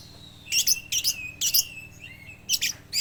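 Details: Oriental magpie-robin singing an imitation of a lovebird: bursts of sharp, high chattering notes about every half second, with long thin whistles sliding between them and a steady low hum underneath.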